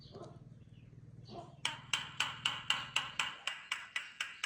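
A myna gives a run of sharp, harsh clicking notes, about four a second, after a few soft sounds over a low steady hum.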